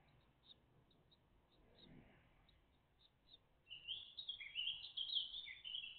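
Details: Great tit family at the nest, recorded 14 June 2023 between 09:48 and 09:58 on a live feed; faint soft ticks early, then a burst of high, scratchy chirping calls through the second half.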